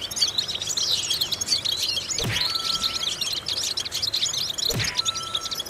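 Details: Goldfinch song used in vocal exercises: continuous bright twittering chirps, interrupted twice by a sharp downward-sweeping sound, with a brief steady tone between.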